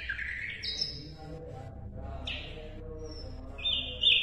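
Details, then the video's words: Asian brown flycatcher singing, meant to train competition songbirds. It gives short, clear, high whistled phrases, each a flat or slightly falling note, separated by gaps, over a soft low background rumble. "SIKATAN LONDO MASTERAN WAJIB BURUNG JUARA"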